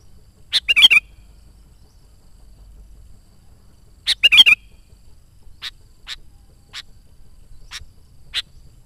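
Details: Sooty-headed bulbul singing actively, used to call wild birds and train decoys: two bursts of a quick liquid warble about three and a half seconds apart, then a string of thin high chips; quiet surroundings.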